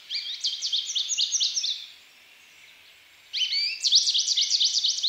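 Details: American goldfinch singing a high, rapid run of sweet twittering notes. A short burst is followed by a pause of about a second and a half, then another bright, jumbled series, with faint background noise.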